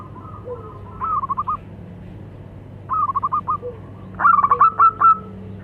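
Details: Male and female local zebra doves exchanging calls; three stuttering coo phrases, growing louder each time, with soft low drawn notes between them and a quiet background hum.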